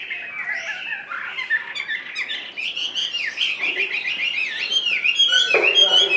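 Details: Caged Chinese hwamei, carried in its hand cage, singing a long, continuous run of rich warbled whistles that slide up and down, growing louder and busier toward the end.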